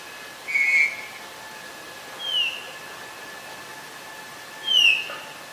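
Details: Black-collared starling recorded on 24 October 2021 in Ubon Ratchathani, Thailand: three short, clear, high whistles spaced about two seconds apart, each sliding downward, over a quiet background.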